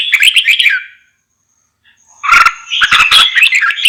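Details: Red-whiskered bulbul giving a fast warbled phrase, then after a second of silence a longer run of bright notes broken by sharp, loud clicking knocks.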